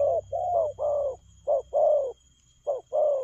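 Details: Fast spotted dove cooing: pairs of a short clipped coo followed by a longer, rounded, falling coo, repeated three times in quick succession.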